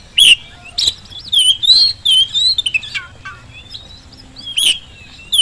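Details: Oriental magpie-robin singing, used to prompt reluctant birds to respond: rich, varied whistles sliding up and down, mixed with harsh rasping chips and short falling notes, delivered in quick uneven bursts.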